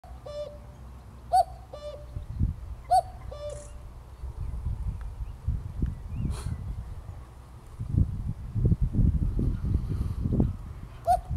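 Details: Common cuckoo calling at very close range at RSPB Greylake, Somerset, on 7 May 2024. It gives several two-note cu-coo calls, the second note lower. A steady low rumble of wind runs underneath.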